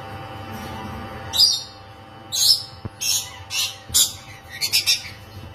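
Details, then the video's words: Rainbow lorikeets mating in a cage: harsh, high screeching squawks in short bursts, several clustered together, over a low steady background hum. "Mengintip Burung Rainbow Lorikeet Kawin Dalam Sangkar"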